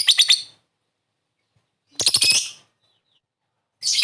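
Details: Calling lovebird as a response lure, three harsh stuttering chirp bursts made of several quick pulses each, spaced almost two seconds apart.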